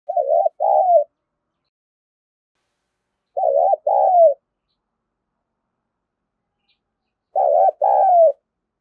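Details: Spotted dove giving calls meant to lure and excite wild doves: three low two-part coos, a quick wavering note and then a longer falling one, spaced about three and a half seconds apart with silence between.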